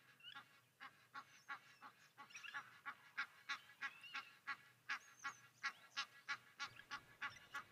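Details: At Okaukuejo waterhole in Namibia, Egyptian geese with grown goslings keep up a steady stream of short, harsh honks, about three a second, fairly evenly spaced, with a few thin higher notes from other birds mixed in.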